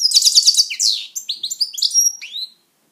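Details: European goldfinch kept as a pet gives an unbroken run of quick, high, liquid twitters and rising chirps lasting about two and a half seconds, then stops.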